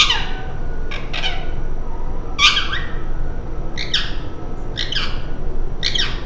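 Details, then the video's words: Parrot giving harsh, raspy squawks in short bursts, roughly one each second, some doubled, over a constant low rumble. "TELKING PARROT"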